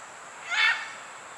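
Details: A single loud, coarse, rasping screech from a great green macaw announcing its arrival at Pierella Ecological Garden in Costa Rica, swelling and fading within half a second.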